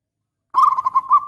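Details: Local zebra dove in song: a single short burst of quick, pulsing, trilled cooing notes that holds one pitch.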